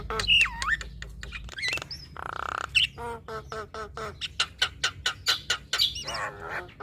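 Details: Female black-winged starling, a caged singing bird, in a full, varied song: looping whistles, harsh squawks and a rapid series of clicking notes near the end, with a broad noisy burst partway through.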